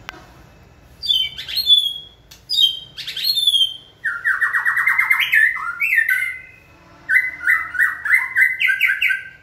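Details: White-rumped shama trained to sing when given a cue: sharp buzzy high notes at first, then long chains of rapid stepped whistles rising and falling, broken by short pauses.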